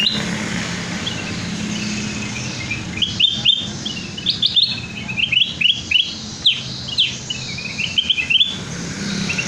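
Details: Sooty-headed bulbul lure song, lively and full of varied phrases; bright, bubbly chirps and slurred whistles in quick clusters, rising and falling, growing busier toward the end over a steady background hiss.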